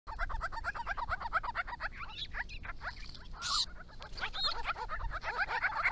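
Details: A resident family group of Grey-crowned Babblers in Victoria, Australia, visiting water in hot weather, calling to each other: a dense, rapid run of overlapping nasal, upslurred notes, with one harsh rasping burst midway and a low rumble of wind beneath.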